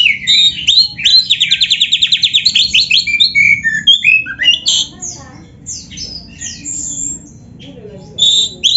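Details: Oriental magpie-robin (kacer) master song for training caged birds, 'gacor full isian' style: a fast run of about fifteen buzzy repeated notes, then varied whistled slurs and chirps that fade into quieter phrases before a loud final burst.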